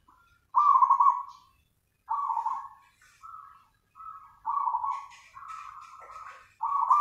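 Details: Perkutut (zebra dove) in full nganyer song: a series of rolling, trilled coos, some loud and some shorter and softer, delivered about every second or so, with faint hissy sounds in the background.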